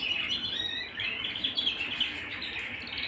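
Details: Canary singing at home, a dense warbling stream of quick overlapping chirps and trills.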